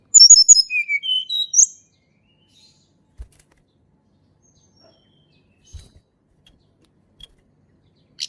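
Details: Sunda robin singing in natural recorded song used as a lure for birds reluctant to sing: a rapid run of thin high whistles stepping steadily downward over under two seconds, then silence broken by faint clicks and taps.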